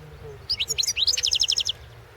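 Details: European goldfinch from a 2016 world goldfinch song championship recording: high twittering notes opening into a rapid, evenly spaced string of bright repeated chirps, a little over a second long, against quiet background.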